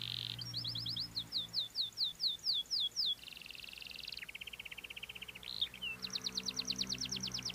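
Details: Canary singing in cengkok style: a series of bright, evenly spaced whistled swoops, then a long buzzy roll, a short flourish and a fast high trill, over steady background hiss.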